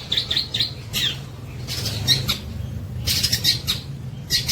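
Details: Long-tailed shrike singing: short bursts of harsh, scratchy high notes and chattering phrases in irregular clusters, with pauses between bursts and a low steady hum underneath.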